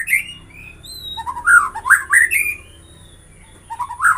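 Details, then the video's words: White-rumped shama song of clear whistles and rising, rich warbled phrases delivered in a loud burst, then a pause and a shorter phrase of rising notes at the end. "Semua jenis murai batu bakal gacor dengan suara ini"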